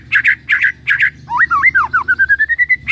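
A white-rumped shama sings three harsh, doubled chattering bursts, then swooping whistled slurs and a quick run of short notes climbing in pitch, over a faint low hum.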